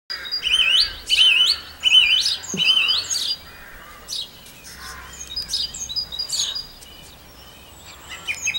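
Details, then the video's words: Song thrush singing at Campbeltown in April 2012: varied whistled and fluty phrases, several repeated two or three times, loud bursts in the first three seconds, then quieter scratchy notes and chirps. "Song Thrush Singing"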